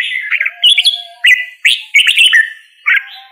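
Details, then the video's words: Red-whiskered bulbul song of clear, mellow, slurred whistles, delivered as several short rising-then-falling phrases spaced about half a second apart. "Red whiskered Bulbul Singing Call Sound | Red whiskered Bulbul Bird Singing"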